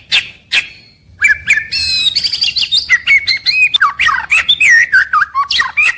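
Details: White-rumped shama giving its daily morning-to-evening song: two soft opening notes, then a fast continuous medley of whistled slurs, trills and squeaky notes, intricate and steady for several seconds.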